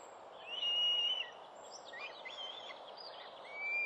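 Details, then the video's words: Young Northern goshawks, four fledged from a nest in the New Forest near the end of the breeding season, 11 June 2012: a thin, drawn-out whistle lasting under a second, then faint chirps and a short rising whistle at the close. "Azor de New Forest, 11/06/2012."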